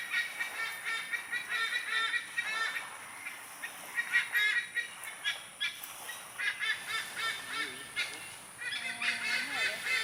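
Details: Noisy chorus of white-bellied sea eagles in a Singapore nature park: goose-like honking yelps in rapid overlapping bouts, with a brief lower warbling call near the end.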